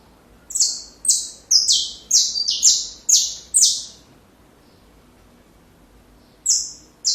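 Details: Saffron finch song for training chicks: a quick burst of seven buzzy, high notes, then a long silence before two more notes at the end.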